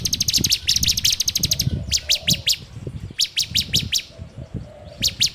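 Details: Ciblek, bar-winged prinia, singing in a phone recording meant as a training lure: a fast run of high clicking notes, then spaced groups of three to five sharp downslurred chips, over low hum.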